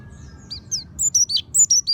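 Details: Oriental white-eye song played to prompt another white-eye to start singing: after soft faint chirps, a burst of bright, high, downward-slurred whistles in quick succession, with a steady low hum beneath.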